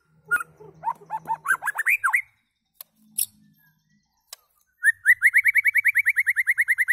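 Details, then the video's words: White-rumped shama vocalizing: a varied run of rising slurred notes, a pause with scattered clicks, then a fast even series of about twenty short upslurred whistles delivered several per second. "White Rumped Shama calls and singing"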